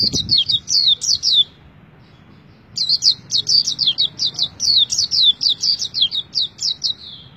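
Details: White-eye, a kept songbird, singing: rapid bursts of high, thin, descending chirps strung into fast twittering phrases, about two notes per second overall, pausing roughly a second before resuming; a short low thump at the start.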